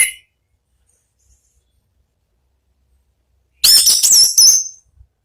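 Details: Short outburst of orange-headed thrush ngeplong song, about a second of high, fast chirps and slurred whistles after a long silence.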